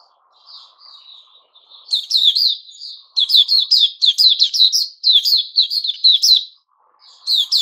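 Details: Captive white-crowned shama, new feathers coming in, 6 September 2021: soft whistles at first, then dense strings of sharp high chirps in rhythmic bursts, with a faint low hum.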